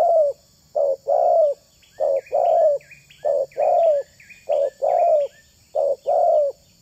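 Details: Spotted dove calling as a lure: evenly spaced pairs of mellow coos, the second note longer and sliding down, accompanied by a persistent high chirping from another small bird.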